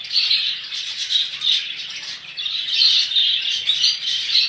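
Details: Budgerigars in a crowded flock give a dense, continuous chatter of high squawks and chirps, rising and falling in loudness with no pauses.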